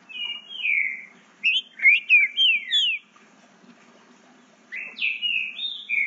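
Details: Eight-month-old green-winged saltator, bred in captivity, rehearsing song with notable speed: slurred whistles, then a quick series of four or five sharp descending whistled notes, a pause, and more sweeping whistles over faint low hum.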